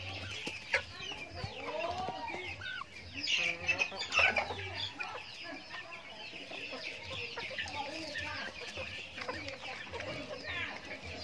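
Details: Chickens eating feed on a backyard farm, many birds clucking and chattering at once with dense overlapping high squeaky notes, a burst of louder calls midway, and a steady murmur of flock sound throughout.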